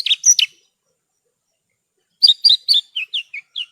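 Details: Branjangan, Horsfield's bush lark, in masteran song: a few sharp high notes, a long silence, then a descending series of about eight paired chirps that fall slightly in pitch.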